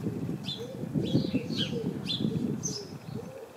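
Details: A House sparrow in a bush full of house sparrows gives about six short, bright chirps at irregular intervals, against a low, soft cooing that may come from a pigeon.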